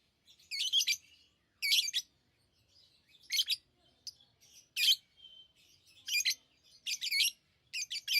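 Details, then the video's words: Lovebirds giving loud, high, raspy chirps in separate bursts about a second apart, with faint squeaks and a brief thin whistle between them. "Love birds Sounds | lovebirds chirping sounds"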